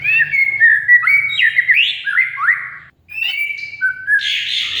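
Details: Caged oriental magpie-robin singing a lure song meant to make a silent bird sing, with rich varied phrases: sliding whistles and rising and falling notes, a short pause, then a buzzy harsh burst at the end.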